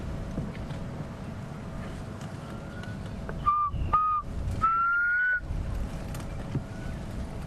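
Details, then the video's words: Black cuckoo, just returned, calling along drainage lines and dry riverbeds on an October sunrise safari drive: mournful three-note whistle, "I'm so sad", last note longer and slightly rising, over a low vehicle engine rumble. "such a lovely call it's a melancholic call of the black cuckoo and it says I'm so sad"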